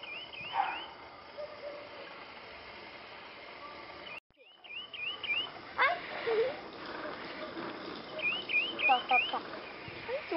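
Lemon-chested Greenlet sings quick runs of three or four high, wavering slurred notes, repeated every few seconds; other short bird calls are heard faintly.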